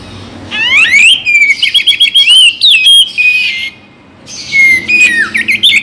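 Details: Oriental magpie-robin (kacer) singing, a morning and evening recording played to encourage other birds to sing: fast, loud cascades of whistles, upward sweeps and chattering trills, broken by one brief silent gap before resuming.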